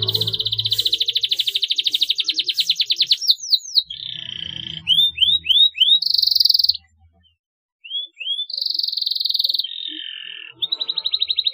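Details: Canary chirping as a stimulus for young canaries: fast rolling trills, a series of short rising whistles, a buzzy held note, a brief pause, then more rising whistles and rapid rattling rolls. Faint low background noise.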